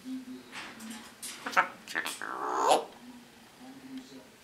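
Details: Female eclectus parrot at home, dancing by swaying side to side and talking in a man's voice; a string of short clicking syllables, then a gravelly sustained word, with faint low hums between.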